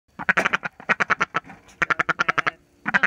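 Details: A female Indian Runner duck, demanding dried worm treats, gives loud, rasping quacks in quick bursts of six to eight, several a second, with brief pauses between.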